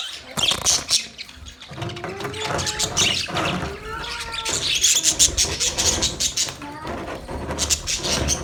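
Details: Budgerigars chirping in a busy flock, with high scratchy warbles over a noticeable lower layer of rumbling sound and a few sliding, wavering tones in the middle.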